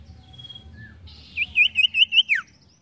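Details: Sirtu, the ashy tailorbird, singing energetically: a soft high whistle and a short lower note, then a loud burst of about six quick looping whistles closing with a falling slur.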